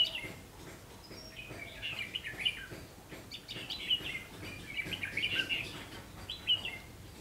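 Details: Red-whiskered bulbul near a double-spring trap, 3 September 2016 at 5 pm: a series of warbled whistled phrases with brief bright peaks, grouped in loose bursts over quiet background noise.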